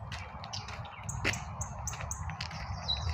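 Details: Birds chirping at midday in spring, giving brief high thin notes and short whistles, set against a heavy low drone of traffic from a nearby highway.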